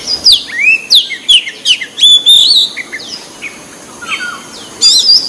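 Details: Magpie-robin with a white breast singing in the wild. Rapid run of bright, piercing whistled notes swooping up and down, then a quieter pause with soft distant notes before a sharp closing phrase.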